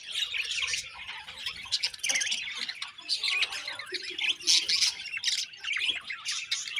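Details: Cheerful budgerigar colony: crowded, scratchy squawks mixed with quick high tweets, rising into louder chattering surges around two, four and five seconds.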